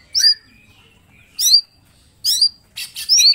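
Lesser green leafbird giving four bright, high phrases of sharp whistled notes and chattery bursts, each roughly a second apart, in quiet surroundings.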